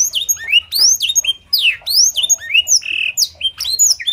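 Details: Canary trained with blackthroat fill-in, singing clearly as a tutor for other canaries. Quick sequence of rising and falling whistled slurs, bright and varied, delivered in short bursts.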